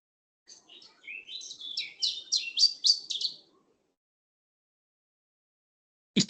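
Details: Iberian chiffchaff (Phylloscopus ibericus) song: a phrase of three different sets of notes, sparse high notes quickening into repeated tsweet notes and a fast chattering finish, then a pause. A European robin possibly sings in the background.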